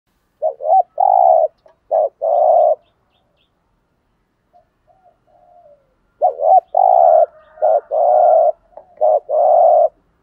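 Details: Spotted dove cooing, used to stimulate decoy doves to coo; two phrases of short notes ending in a long held coo, around 500–1000 range, with a quiet pause between, no other sounds.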